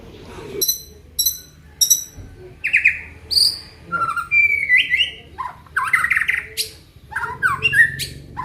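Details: Song of a white-rumped shama from Aceh: a series of short repeated high chips, then loud varied whistles, swooping slurs and harsh buzzy notes, delivered in irregular bursts.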